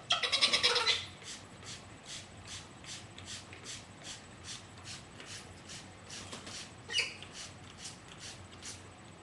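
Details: Pet rose-breasted cockatoos bathing indoors: a loud burst of rasping, stuttered screeches opens, then steady rhythmic pattering of water, with one more brief harsh note near the end.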